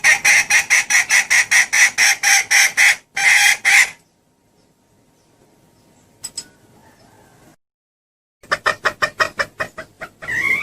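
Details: Hen red junglefowl calling to lure males near: a rapid run of about fifteen sharp clucks, a pause of near silence with one faint click, then another quick burst of clucks ending in a rising note.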